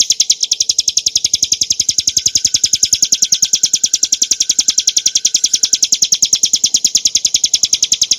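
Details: Bar-winged prinia recorded as a clear tutor and lure for cage birds, its 'ngebren nembak' song a relentless series of piercing high chips, evenly spaced and quick, running unbroken for over eight seconds.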